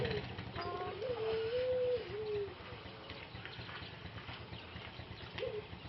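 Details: Male Pelung dove kept alone for treatment in Indonesia after its voice faded during six months in a breeding cage; a wavering low coo about one and a half seconds long, then silence and a short final note.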